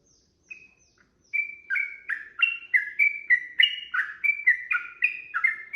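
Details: Sooty-headed bulbul in long, rapid fighting song used as a lure to make other birds answer: after faint opening notes, a fast run of bright two-part whistled chirps, each dropping in pitch, overlapping and repeated about three per second.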